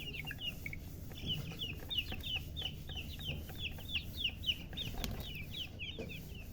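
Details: Baby chickens, freshly hatched, chirp loudly. Piercing downslurred peeps repeat about three times a second in a busy, irregular chorus, and some soft knocks sound in the background.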